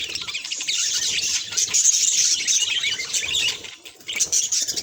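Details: Pet budgerigar reacting to a mirror, giving dense high-pitched warbling chatter full of quick chirps and buzzy notes, nearly continuous, with a short dip in loudness near the end.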